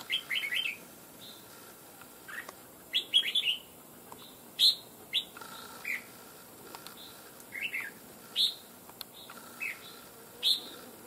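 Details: Red-whiskered bulbul, a wild bird trapped over nearly two months and kept for fighting, said to sing loudly; clear whistled and chirpy notes in short phrases repeat every second or so, with brief gaps between.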